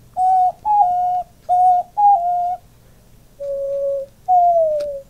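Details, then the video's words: A pet male diamond dove, puffing up as he coos, gives soft, low hooting coos in two paired phrases, then two longer drawn-out notes, the last gently falling. "Diamond dove cooing"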